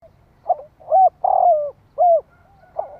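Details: Spotted dove cooing to stimulate other doves, used to lure wild birds: soft low coos, one longer drawn-out coo among shorter arched notes, spaced irregularly in a quiet setting.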